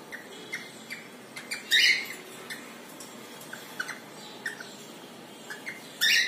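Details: Bathing male cockatiel kept as a pet, dipping in water with natural sound only: scattered soft chirps broken by two loud, harsh screeching squawks, one early and one at the end.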